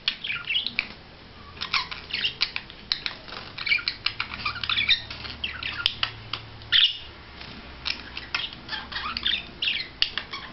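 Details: Budgerigar in courtship display chatters continuously, mixing scratchy squawks, clicks and twittering notes in irregular rapid bursts, with a short lull early on.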